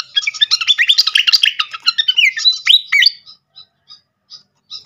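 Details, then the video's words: Srikatan kipas (fantail) lure sound to provoke singing: about three seconds of rapid high twittering with sweeping whistled slurs, then short isolated chips every half second or so. "langsung Nyaut seketika pancingan khas burung srikatan kipas"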